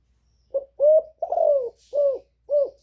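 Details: Female spotted dove nest-calling to stimulate males: a clear, soft sequence of five low coos, the middle one long and gently falling, the rest short and rounded.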